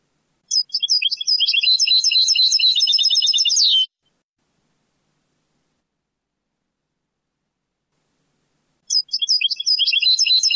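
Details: Old Moroccan Sebti-style European goldfinch song, digitized and cleaned from a cassette of the late 1990s–early 2000s: a fast, tinkling run of high twittering and liquid notes lasting about three seconds, a long silence, then another burst.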